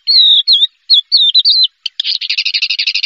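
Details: First-place contest Horsfield's bush lark: sustained high whistles with wavering slurs, then a fast rattling series of rapid buzzy notes accelerating toward the end.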